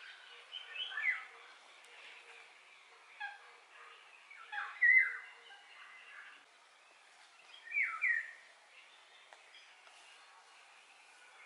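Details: Eurasian golden oriole song: three fluting, liquid phrases around 1 to 3 kilohertz, at about 1, 5 and 8 seconds, separated by quiet gaps, with faint chirps of other birds and soft background noise between them.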